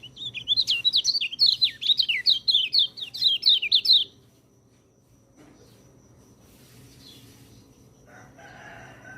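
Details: White-eye singing, recorded to teach quiet birds to sing: a rapid run of high, looping whistled notes repeated about twice per second for four seconds, followed by near silence and faint distant chirps.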